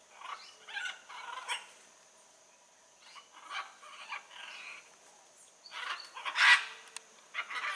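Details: Blue-and-yellow macaws calling in nature: rapid series of coarse, rasping squawks in bursts, quiet pause midway, then a louder harsh cry, over a continuous high hum.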